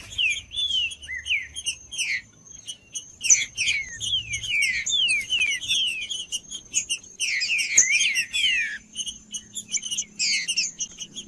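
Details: Green-winged saltator giving the cold trinca-ferro song meant to warm up a silent bird: a long run of rapid descending whistles and chirps in several dense bursts, bright and ringing, over a faint constant high whine.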